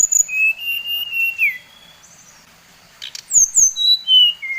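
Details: Brown-chested jungle flycatcher of the Bali type, its song used as a lure to provoke others of its kind: a long, level whistled phrase bending down at the end, a pause, then high whistles stepping downward in pitch.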